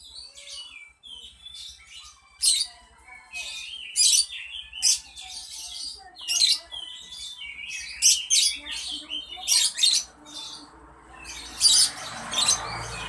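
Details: Melodious singing from a beautiful bird: rapid high chirps and trilled bursts, repeated at short irregular intervals, some with downward-sliding whistles, over a faint low hum that grows into a rough rushing noise near the end.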